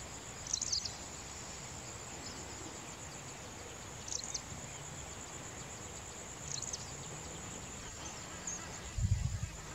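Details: Yellow-bellied waxbill (Coccopygia quartinia) feeding at Mt. Kenya or Naro Moru, Kenya, gives thin, very high chirps about every two to three seconds over a steady high hiss and low rumble, ending with a soft thump.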